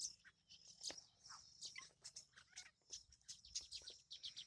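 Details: Baya weavers around a single tree with over fifty nests built during the monsoon; scattered high, sharp chirps and short buzzy twitters from several birds, irregularly spaced, against faint rural background.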